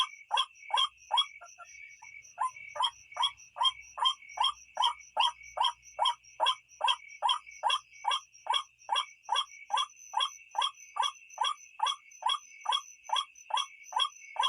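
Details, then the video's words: White-breasted waterhen repeating a harsh croaking note roughly twice a second, very regular, for the whole stretch; recording used to attract birds at night, with a steady high ringing tone in the background. "suara burung ruak ruak pikat malam"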